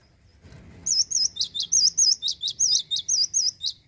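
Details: A male cinereous tit sings energetically, kept as a songbird in Indonesia: a long string of about fourteen sharp, high, looping notes, wavy whistles alternating with steep downstrokes, after a brief soft rustle.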